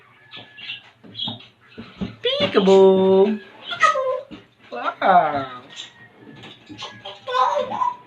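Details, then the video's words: Captive African grey parrot imitating animal sounds on request, producing meow-like wavering harmonic cries amid human speech and clicks in a small room, with a falling whine near the middle. "talking parrot | African grey parrot"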